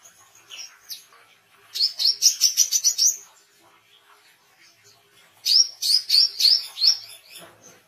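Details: Oriental white-eye singing actively, a recording meant for training songbirds and luring wild birds: two bursts of rapid, high, bright chirping notes around one and a half seconds each, separated by quiet scattered faint chirps.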